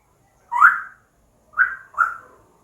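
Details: Pet African grey parrot at home, chatting with its owner: three short clear whistled notes, each rising then falling, the first longer, the last two close together, with a quiet room around them.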